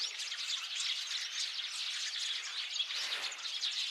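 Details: Eurasian tree sparrow flock, recorded 8 February 2024, giving a steady din of bright overlapping chirps and squeaky twitters, many birds calling at once in a continuous, lively chorus.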